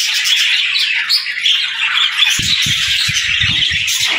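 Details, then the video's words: Budgerigars in the morning, happy birds greeting the day, fill the air with busy overlapping chirps and squeaky warbles; soft low thumps join in during the second half. "Budgie Morning Sounds: Wake Up to the Beautiful Chirps of Happy Parakeets!"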